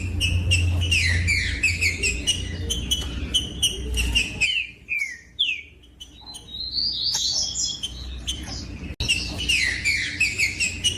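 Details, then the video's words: Song of a green-winged saltator, played to make other saltators sing: rapid whistled notes, then a pause with a few softer slurred whistles and a rising phrase before the lively whistling resumes, over a low droning hum. "COM TRINCA FERRO CANTANDO"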